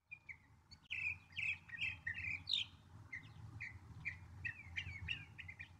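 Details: Northern mockingbird sings a lively string of chirps, repeated in short groups with changing pitch, over a rumbling low background noise.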